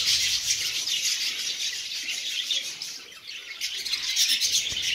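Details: A colony of captive lovebirds keeps up a dense, shrill chatter of overlapping high chirps and squeaks while eating seeds.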